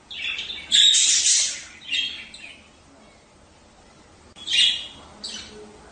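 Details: Budgerigar calls meant to encourage mating: two loud scratchy chirp bursts, the first long and harsh, the second shorter after a quiet gap.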